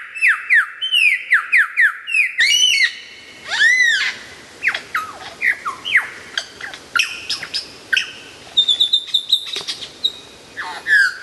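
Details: Lyrebird giving a loud, clear, varied song used for tutoring songbirds: falling whistles, loud arched squawks, sharp clicks and scattered high thin whistles in a shifting medley.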